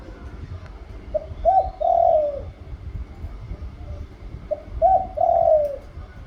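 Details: A spotted dove repeats its cooing phrase twice about three seconds apart. Each phrase is a short note, a quick double coo, then a long falling coo, with faint background rumble.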